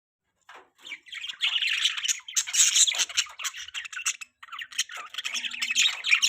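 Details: Budgerigars chirping in the morning, a dense chattering of harsh squawky notes and warbled chirps, continuous after a brief quiet start.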